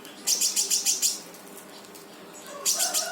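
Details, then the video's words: Brown-throated sunbird in energetic 'gacor' rapid-fire song, meant to prompt a silent sunbird to sing: rapid burst of very high chattering notes, a pause, then another short chattered burst. "KONIN GACOR FULL TEMBAKAN || UNTUK MANCING KONIN MALES BUNYI LANGSUNG IKUT BUNYI"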